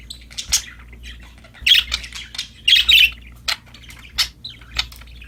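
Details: Playful, happy budgerigars chirping: loud harsh squawks and scratchy warbled bursts at irregular intervals, interspersed with softer chatter.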